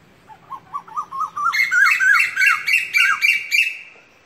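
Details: Asian koel calling: a rapid run of short, shrill, bouncing notes at about three per second, starting softer and lower, then jumping higher and louder into a harsh ringing chatter for the last few seconds.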